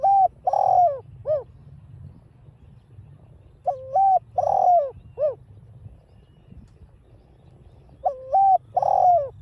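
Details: Caged spotted dove cooing in the giọng đồng style, used to rouse other doves. Three phrases come roughly every four seconds, each a flat hoot, a fuller drawn-out coo and a brief dropping note, over a faint low background hum.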